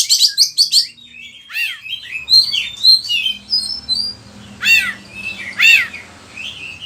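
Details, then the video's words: Kacer, the oriental magpie-robin, in song for training other birds in Indonesia: rapid stuttering notes, then a string of whistled chirps punctuated by loud, sharp, downward-sweeping calls. "Pancingan suara kacer gacor, bongkar isian burung"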